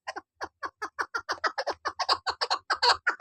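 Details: Female chukar partridge kept as a hunting bird, giving a fast run of short clucking notes, about two per second and quickening, centred low with sharper upper overtones; no other sounds intrude.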